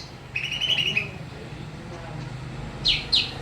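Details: Greater green leafbird singing persistently amid surrounding noise: a fast, chattering run of high notes over half a second, then two sharp descending notes near the end, over a steady low mechanical hum.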